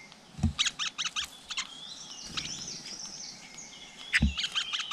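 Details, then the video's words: Flowerpecker by its nest with young, outdoors: a run of sharp, high clicking chips, a thin whistled stretch, then more quick chips, with two low thumps. "Cận Cảnh Tổ Chim Sâu Và Đàn Con"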